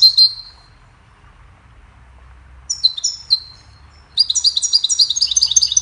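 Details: Singing goldfinch, used as a model for training songbirds, gives a high chirp, then scattered twittered phrases after a quiet gap, ending in a fast, continuous run of bright, jingling notes.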